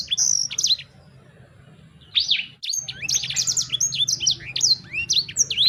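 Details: A sanger bird gives a couple of bright slurred notes, falls silent for over a second, then launches into a dense, rapid stream of high chirps and looping whistles.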